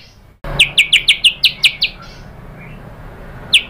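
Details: White-rumped shama lure song meant to provoke a rival: a quick series of about nine sharp, high, downward-slurred notes evenly spaced, then a pause with a faint hiss and one more note.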